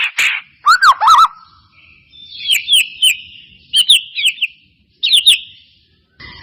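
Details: White-rumped shama song lure for a silent caged bird: a buzzy burst and double looping whistles, then clear paired high whistled notes spaced about a second apart over a faint steady tone.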